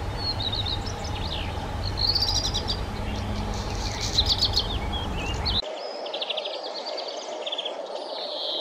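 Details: High whistles and short crackling rattles from a black redstart, repeated a few times, with low humming noise that drops away partway through.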